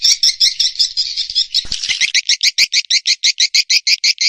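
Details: Swiftlet lure sound combining calling and roosting calls, used by Indonesian swiftlet farmers: a run of sharp, high, buzzy clicks repeated about three times a second after a brief blurred chatter.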